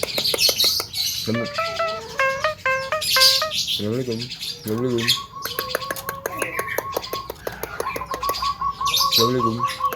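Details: Javan myna mimicking sounds it has heard, including frog, duck, a greeting, coughing, an ice-cream call and a "hello girl" phrase: a dense, fast medley of clicks, harsh squawks, steady whistled tones and nasal, wavering buzzes, almost continuous.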